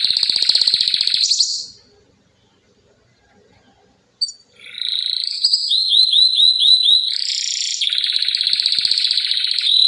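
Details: Canary song with a dense rapid trill, a gap of near silence, then rising whistled notes, a run of quick downslurred chirps about four per second, and a long buzzy rolling trill.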